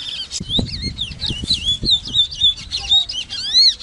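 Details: Large-billed seed finch (Sporophila crassirostris) whistling a string of swooping, wavering notes over repeated low thumping and knocking noises, ending in a long clear upslurred whistle.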